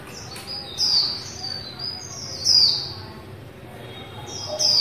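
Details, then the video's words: Female white-eye singing in the 'líu' style: thin, very high-pitched whistled phrases that sweep downward, given in three bright bursts about every two seconds with softer twittering between them, over a faint low background hum. "Khuyên mái líu"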